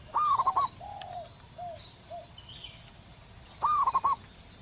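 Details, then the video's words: Local wild zebra dove singing loudly, with a big voice. It gives a rolling, stuttered coo, then a smooth coo and two short soft coos. The rolling phrase repeats after about three seconds, with faint high chirps of other birds behind. "perkutut lokal manggung gacor di alam liar suara besar"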